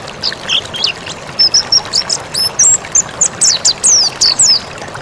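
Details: Mountain white-eye in an Indonesian training recording for cage birds, singing a lively series of short, high whistled slurs, rising and falling, repeated rapidly with brief gaps over a faint hiss.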